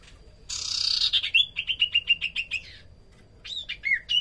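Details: Lively common iora (sirtu cipoh) song used as a lure and training sound for small birds: a brief rush of noise, then a fast chatter of about eleven short, even whistled notes, followed by sharper rising and falling whistles.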